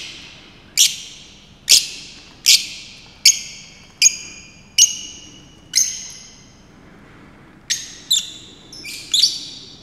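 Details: A male Fischer's lovebird sings while dancing at Saarbrücken Zoo on 30 May 2018. Its shrill, high-pitched chirps are each sharp and falling, repeated about once a second, with short doubled notes near the end; faint background hum.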